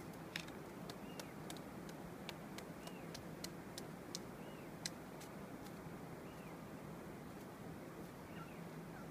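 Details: Magellanic Woodpecker in Queulat National Park, Chile, February 2014, giving sharp, irregular taps with faint, squeaky arched notes about every second or two, over a steady rushing background.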